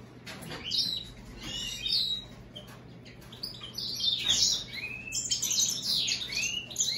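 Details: American goldfinch × European greenfinch hybrid delivering scattered high chirps, then a lively run of twittering, descending slurred notes and trills, with a faint steady low hum.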